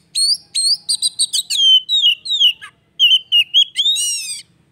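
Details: Varied Oriental magpie-robin song meant to make a silent bird start singing again: rapid sharp chirps and upslurred whistles run into long sliding whistled notes, then a buzzy, harmonic-rich flourish.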